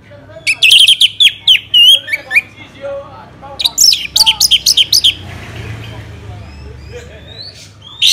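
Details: Orange-headed thrush song from Bali, used to stimulate other birds to sing: two loud bursts of rapid, sharp whistled and slurred notes, separated and followed by quieter soft warbling and low hum.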